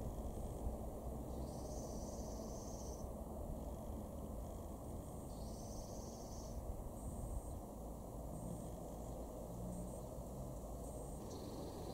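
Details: Only a steady low rumble of wind or distant traffic is heard, with no clear animal calls.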